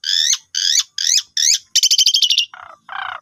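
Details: Starling lure song for birds gone silent, from an Asian pied starling. Four harsh buzzy notes at even half-second spacing, then a fast stuttering rattle and two low rasping calls, with no other sounds.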